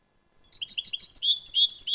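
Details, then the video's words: Song of a European goldfinch in a clean recording: silence, then crisp twittered chirps at an even pace, turning into a rapid, slightly buzzy medley of high notes. "CD jilguero limpio 2019"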